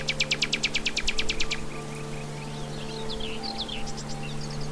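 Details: Wild common nightingale song opening with a fast, even series of about a dozen sharp, high clicking notes, then varied whistled and slurred phrases, with a constant low hum beneath.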